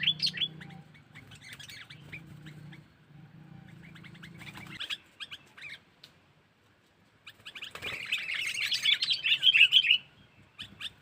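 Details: Sooty-headed bulbul lure call in the cengkeram style, used to attract wild birds: scratchy chattering bursts, faint at first, then a loud, dense chatter near the end, with a low steady hum underneath.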